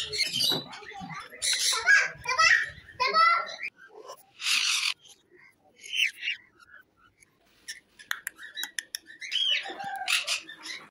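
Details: A grey cockatiel chick being hand-fed at a parrot farm shop in Madurai, Tamil Nadu, gives harsh, raspy begging squawks in uneven bursts, with human voices nearby.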